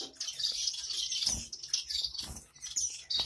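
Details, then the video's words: Double-barred (owl) finch chicks that have just left the nest, giving a continuous stream of thin, high-pitched chirps and twitters, with a few soft low thumps from movement. "Baykuş ispinozu -Owl finch yavruları"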